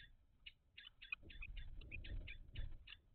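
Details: Common kestrels at a nest box during a food transfer, recorded 17 May 2023: a run of short, clipped, harsh notes repeated about four times a second, with low rumbling and shuffling noise from inside the box.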